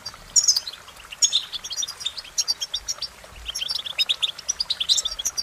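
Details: Goldfinch singing: crisp, high chirps repeated quickly, building into a lively rhythmic twitter of evenly spaced notes toward the end.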